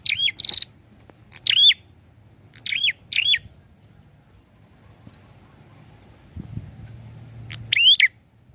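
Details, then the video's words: A prinia, named as a red-headed or grey prinia, gives sharp, high, hooked notes in short bursts of one or two, spaced irregularly over several seconds, with a faint low hum underneath. "SUARANYA PLONG ABISS..GACORR || PRENJAK KEPALA MERAH||PRENJAK KLAWU"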